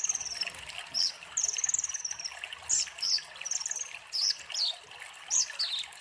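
A sunbird sings a rapid, high, thin twittering in short bursts of sharp chips and trills, almost without pause, over faint trickling water.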